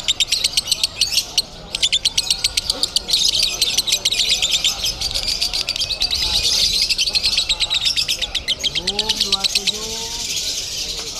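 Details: Konslet-style lovebird song at a Bandung bird-singing contest: sustained rapid-fire high ticking trill running almost throughout, with people's voices rising briefly near the end.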